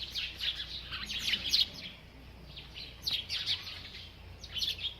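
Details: Chirping bird while eating: a busy burst of high twittering at the start, a lull, then renewed sharp chirps in small groups.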